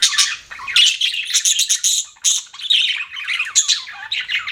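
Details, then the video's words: Chattering budgerigars give bursts of bright, scratchy chirps and warbled squeaks in quick clusters separated by short gaps, with a few softer low notes at the start. "BUDGIES CHIRPING SOUND"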